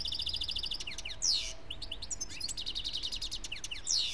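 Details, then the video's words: Singing European goldfinch, German-bred in 2013: an opening run of evenly repeated buzzy notes, then bursts of sweeping downslurs and jingling twitters, with two louder harsh rasping notes near the start and end. "EuRo GoLdFiNc SiNgiNg"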